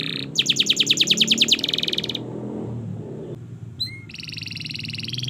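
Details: Canary song used as a master recording for training young canaries: a fast series of bright repeated notes, then a buzzy trill, a pause and rising whistles leading into another rapid roll.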